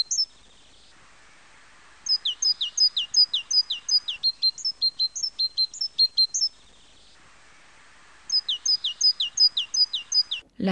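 A great tit sings bright, high two-note phrases in a quick seesaw rhythm, about three per second, in two bursts over a soft steady hiss.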